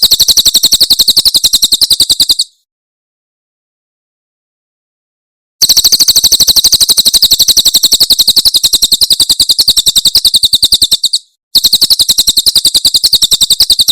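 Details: Javan prinia, Cililin 'tembakan' song used to tutor songbirds: long bursts of rapid, shrill chip notes. The first burst is separated from the next by about three seconds of silence, and a brief pause follows later.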